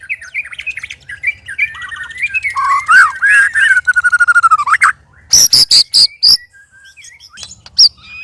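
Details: White-rumped shama sparring with two other birds, giving a loud, strange song: warbled whistles sliding around, then a burst of sharp clicking notes and high, loud whistled strokes with short pauses.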